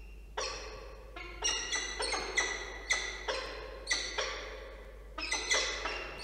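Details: Percussive music plays, with ringing wood-block-like strikes in uneven groups of two and three and no animal voice.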